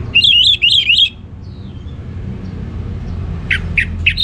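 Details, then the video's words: High, tumbling whistled warble from a caged orange-headed thrush, ngeplong song style, northern Bali, breaking off into quiet, then three sharp separate chip notes near the end. "Anis Merah Ngeplong Gacor"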